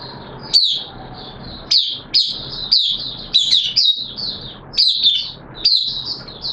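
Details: Hobby-kept oriental white-eye, open song in wet weather, 6 September 2022: high twittered notes that start with sharp upward flicks, repeated roughly every half second to second, over a steady low background hum.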